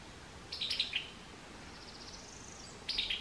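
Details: Two rapid chuckling bursts of high, tumbling notes from a summer tanager, separated by a faint thin whistle in between.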